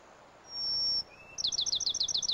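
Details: Singing male Bachman's sparrow, which mixes introductory whistles with varied trills: a long pure high whistle, a lower brief whistle, then a fast bright trill of repeated notes.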